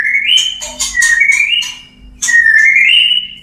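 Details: Male white-rumped shama singing to a female during courtship: clear rising whistles broken by sharp high clicks, a pause, then another long whistled rise with a faint steady hum behind.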